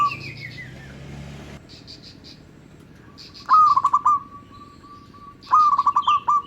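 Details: Local zebra dove song, used as a lure for other zebra doves: two stuttering phrases near mid-pitch, a quick run of clipped notes ending in a held tone, with a descending whistle and faint higher chirps from other birds at the start.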